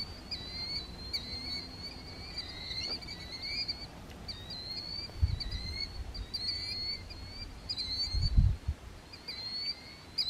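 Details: Killdeer swooping and singing at Mandalay National Wildlife Refuge in Louisiana: short, sharp, high notes with a fainter lower overtone, given in quick bursts about every second, over low rumbling background noise.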